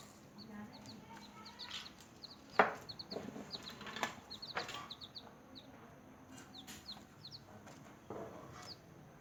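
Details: Newly hatched chicks chirping while feeding and playing: thin, high, short falling peeps in quick scattered bursts, with soft pecking taps and brief wing-flutter noises between them.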